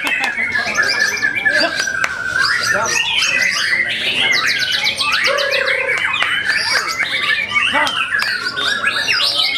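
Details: Varied song of a white-rumped shama: rapid shifting whistles and chattering notes, one fast buzzy trill of repeated elements, and a short low tone near the middle, with scattered clicks behind.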